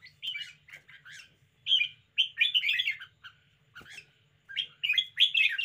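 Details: Red-whiskered bulbul kept as a cage bird in an energetic display, pouring out repeated bouncy warbled phrases of chirps and whistles, with short pauses and a final loud, fast flurry of notes.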